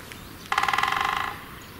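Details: A great spotted woodpecker pecks a tree like a machine gun, drumming one quick roll of about twenty sharp strikes in under a second that fades toward the end, against a quiet background.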